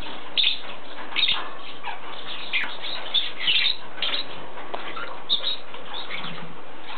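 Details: Busy lovebird chatter, with sharp twittering chirps arriving in clusters roughly every second against a constant low hum.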